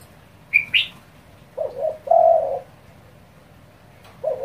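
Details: Spotted dove giving fast provoking coos used to rouse other doves: a few low, rounded coos in a quick, run-together phrase, then another coo begins. A higher chirping bird calls briefly before them.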